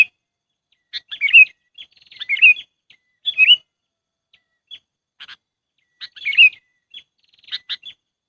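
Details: Lure for trapping sooty-headed bulbuls: an irregular run of chattering, liquid phrases, some paired closely, mixed with soft separate chirps and brief pauses.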